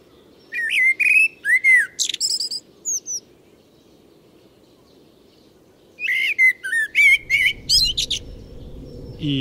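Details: Common blackbird full song recorded in a Moscow park in early spring: two phrases, each a low, fluty whistled warble ending in a squeaky high twitter, over a soft background rumble.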